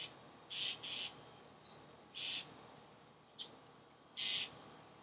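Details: Northern mockingbirds mob a Great Horned Owl in July 2015, giving harsh, rasping alarm calls: five hissy bursts, some doubled, at irregular intervals, with a few thin high whistles between; the owl seems unbothered but gets annoyed.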